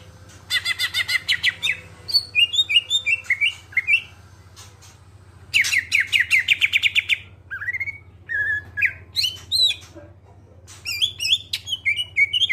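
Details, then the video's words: Greater green leafbird song as a lure to get other birds singing: bursts of dense rapid trills alternate with sets of varied slurred whistles, separated by short pauses, with a low hum in the background. "Cucak ijo suara jernih, pancingan biar cepat gacor"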